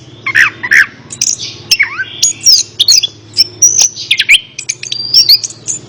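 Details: Orange-headed thrush song offered as therapy for a bird reluctant to sing: varied loud whistled phrases, sharp rising and falling notes and buzzy bursts separated by short pauses, over a faint low hum.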